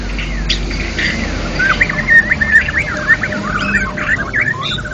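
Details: Champion white-rumped shama in ngeplong song: a dense, jumbled run of quick warbled and chattering notes, with scattered high chips, over a constant low hum.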